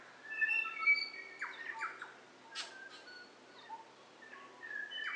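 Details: Kaka feeding at Mt. Bruce wildlife sanctuary, New Zealand: scattered clear whistled notes and short slurred tones, broken by a couple of brief harsh rasping bursts, irregular and spaced over a few seconds.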